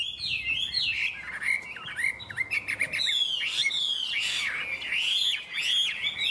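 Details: A captive Chinese hwamei hung outdoors on a peach tree on a sunny morning sings a loud, continuous run of varied whistles, slurred rising and falling notes mixed with rapid chattering trills, with no other sounds.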